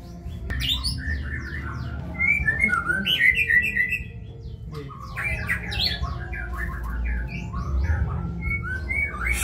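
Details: White-rumped shama delivering a long kebyok song of rapid, varied whistles, chattering trills and sweeping slurs, with bursts of quick high notes and short pauses between phrases, over a low hum.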